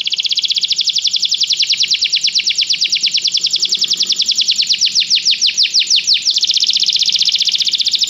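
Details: Canary song used to stimulate a canary to sing: a loud, continuous run of rapid high trills, speeding then breaking into sweeping downward slurs before resuming a fast even trill.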